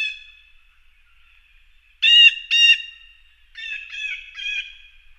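Eurasian jay giving two loud, harsh, rasping screeches, then three softer, shorter grating calls in quick succession; otherwise quiet.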